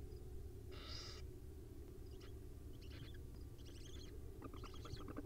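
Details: Wild owl chicks at dinner time, filmed by a live nest cam, give one harsh hissing screech, then a run of rapid, clicking, chittering notes that grow busier toward the end, over constant low background hum.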